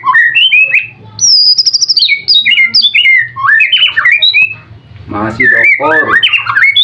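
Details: Caged white-rumped shama of the contest type, song stuffed with mimicked notes: loud whistled phrases jumping between high and low pitches, rapid slurred trills, and harsh burry notes near the end.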